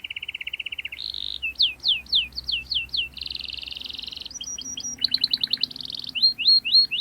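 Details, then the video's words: Canary singing sharp rolling song meant to pressure rivals and teach young canaries: a buzzy low trill, then rapid repeated upslurred whistles, a dense high buzz, and quick clipped notes in varied tours. "KENARI Gacor Cuit cuit NGEROL TAJAM Menekan Lawan, Pancingan KENARI PAUD belajar bunyi | Canary bird"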